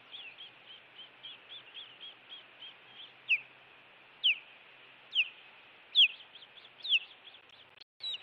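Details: Osprey calling while defending its Montana nest against intruders, June 2017 evening: soft, even chirping at first, then loud down-slurred whistles repeating almost every second over the chatter.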